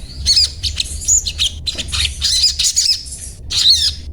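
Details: Sogon, the crimson sunbird, singing its daily 'cuet cuet' chatter: shrill, thin squeaks and sharp chips crowded into quick bursts, with a few piercing whistled notes and a faint low hum behind.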